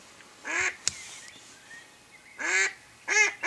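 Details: Mallard hen decoying ducks on a hunt: a harsh quack, a sharp click, then after a pause three more raspy quacks, the last two coming close together.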